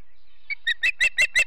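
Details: Ospreys of a family at a nest at Charlo, Montana, on a September morning: a short series of sharp, high chirped whistles, starting faint and growing louder, repeated about every fifth of a second.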